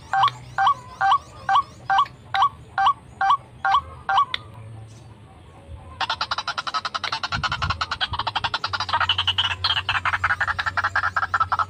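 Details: White-breasted waterhen lure call for trapping wild birds: evenly spaced hooked croaking notes, about two per second, then after a brief pause a loud, rapid, continuous chattering chorus of pulsed notes.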